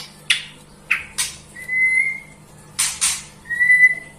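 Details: Two long, pure, slightly rising whistles from a white-rumped shama's melodious song, separated by loud dry clicks and snaps, with a soft steady hum behind.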